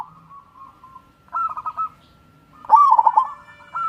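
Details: Zebra dove, local wild crossing bird, singing to prompt lazy doves: a faint trailing coo, a short stuttered run, then a loud phrase of a rising note and quick bubbling coos, another beginning at the end.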